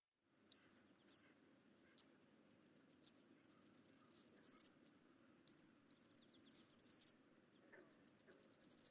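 Eastern Kingbird giving high, sharp, electric kitter-kitter calls in stuttering bursts, some single notes and some rapid sputtering series, over faint low background hum.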